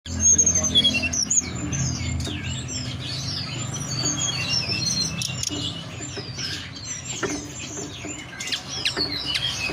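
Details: Mountain forktail (tledekan gunung) lure song, meant to make birds sing and come into breeding condition; dense high thin chirps and quick whistled slurs overlap continuously above a steady low hum.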